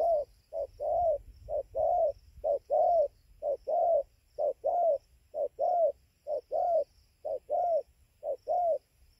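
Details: At dawn on 24 November 2020 in Gia Lai, Vietnam, an aggressive wild spotted dove calls at its roosting tree. Clean, regular low coos alternate short and longer slightly bending notes, roughly one per second, over quiet background.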